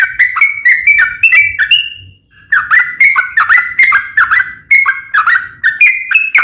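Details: Energetic sooty-headed bulbul song in the 'ropel panjang' style, meant to make other bulbuls sing back: quick bubbly whistled notes, a short pause near two seconds, then the rapid slurred whistles resume.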